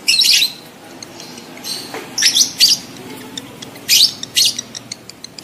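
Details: Lovebirds in breeding mood, used to stimulate adult lovebirds to mate: harsh, high, buzzy chirps in short loud bursts, some in quick pairs, separated by quieter gaps.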